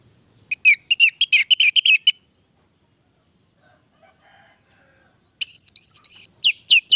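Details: Orange-headed thrush giving its lively 'gacor' song: a rapid chattering run of whistled notes, a quiet gap with faint low sounds, then loud ringing, clear high whistles repeated several times.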